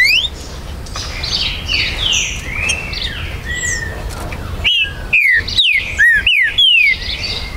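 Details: Soft mixed birdsong in the background gives way to a green-winged saltator's loud, ringing phrase of five or six sharply downslurred whistles; territorial bird recorded 19 September 2020 at a breeder's premises in Brazil.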